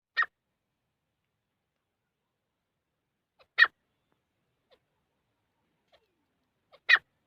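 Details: Grey francolin (teetar) calling: three short, harsh, rasping notes spaced about three and a half seconds apart, each a quick burst, with near silence between them and no other sounds.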